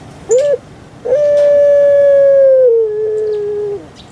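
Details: Puter pelung dove, a kept bird famous across Indonesia and especially Java, calling: a short rising note, a pause, then one long steady tone held nearly three seconds before stepping down to a lower held tone that fades out.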